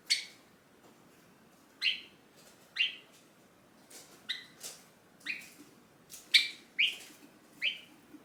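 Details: Pet hand-tame Java sparrow in its cage starts singing and calling to its owner when the owner tries to leave. Bright, clipped chirps repeat roughly every half to one second in a lively run, with softer notes mixed in, indoors.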